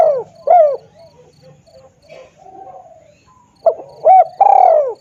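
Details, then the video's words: Spotted dove call used to lure birds: arched coos at the start, a soft murmuring pause, then a fresh phrase of two short coos and a long, loud, falling croon. "suara pikat tekukur|SUARA BURUNG TEKUKUR"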